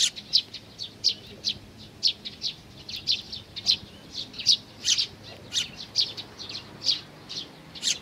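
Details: Sparrows, chicks together with parents, 11 May 2019: steady run of sharp high chirps, roughly two or three per second, evenly spaced with little else audible.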